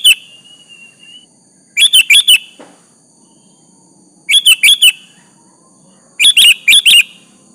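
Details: Rival-baiting song of a sooty-headed bulbul: tight bursts of four bubbly whistled notes spaced about two seconds apart, a faint high hum running throughout.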